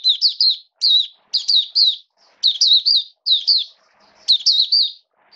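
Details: Oriental white-eye kept in a cage, recorded 29 September 2022 in wet rainy weather, singing short high phrases of two to four quick slurred notes, spaced about half a second apart.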